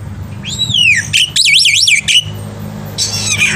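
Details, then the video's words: Black-winged myna in morning song, a tutor for young birds: a loud descending whistle, then fast wavering warbled whistles, a pause, and a rough falling phrase, over low mechanical hum. "jalak putih gacor pagi hari untuk masteran burung jalak muda"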